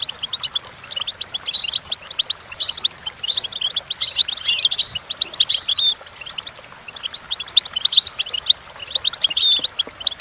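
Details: Goldfinch song for teaching goldfinches: long, steady stream of high tinkling chirps and short buzzy trills, delivered in repeated lively phrases.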